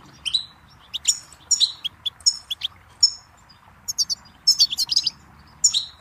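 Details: Song of a goldfinch from a tape for tutoring songbirds. Quick chains of sweet, liquid twitters alternate with buzzier trills in close phrases. A cluster of rapid notes builds toward the end against a quiet background.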